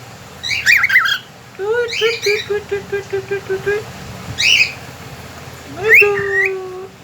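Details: Pet cockatiel, a talking and singing companion bird, giving a whistled tune: a run of about ten even, steady notes after a few squawky chirps, then a rising whistle sliding into a long held tone.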